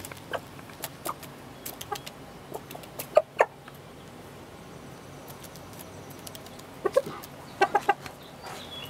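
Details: Chickens on 7 June 2016 give sparse short clucks and clicks in loose clusters, loudest around the middle and near the end, over a constant low hum.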